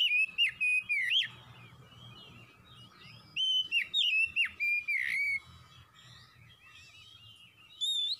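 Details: Oriental magpie-robin, a fast, energetic singer, giving clear whistled phrases with sharp upward and downward slurs in bursts separated by pauses, with a faint low hum beneath.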